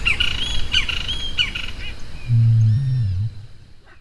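A greater rhea gives one deep, low, booming call lasting about a second. Before it come quick, high chirps from smaller birds.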